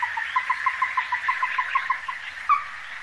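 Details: Ruddy-breasted crake, Taiwan resident subspecies, at Donggang River wetland, 14 December 2023, giving a quick run of hard, knocking notes, about six a second and fairly even in pitch, ending with one higher, sharper note.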